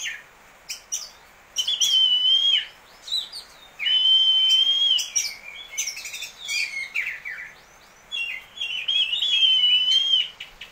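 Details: Caged Oriental magpie-robin, a prize-winning contest bird, singing crystal-clear, constant song with rich fill-in phrases. Loud sustained whistled notes with a wavering tremolo, broken by sharp chips and buzzy notes, in three main bursts over about ten seconds.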